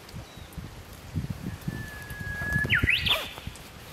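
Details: Japanese bush warbler singing roughly 15 m off: a long, even whistled note held about a second and a half, then a sudden burst of quick rising and falling flourishes, with rustling and footsteps in the foreground.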